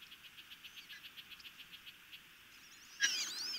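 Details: Nest camera at Chesapeake Bay, Maryland, 26 May 2018, with osprey chicks begging during feeding: a steady series of short high ticking chips, then a sudden loud, harsh, wavering whistle near the end.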